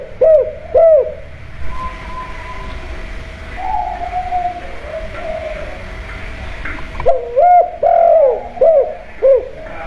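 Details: Household spotted dove used as a lure to make other doves answer, in the 'kuk' call style: two short low coos open, a quieter stretch with a soft drawn tone follows, then a fresh burst of four or five rounded coos closes.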